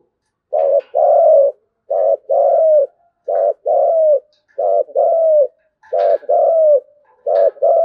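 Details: Spotted dove calling the flock, used as a decoy: low, soft cooing phrases of a short note followed by a longer falling coo, repeated steadily about every second and a half in a quiet setting.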